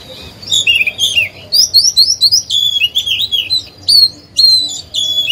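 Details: Oriental magpie-robin used as a decoy bird, singing to provoke other birds into singing: a rich, varied run of clear whistled and warbling phrases, rising and falling, with fast note clusters and brief pauses between bursts.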